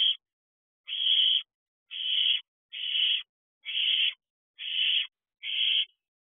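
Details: Young barn owl back at the nest box at night, 14 June 2023: a steady run of raspy, hissing screeches, each about half a second long, repeated roughly once a second, seven in a row.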